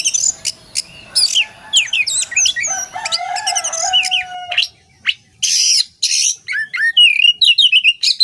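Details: Oriental magpie-robin singing in a tutor recording for training songbirds: a lively string of varied whistles, quick down-slurred notes and trills, broken by several harsh rasping bursts, then rapid twittering, over a low steady tone.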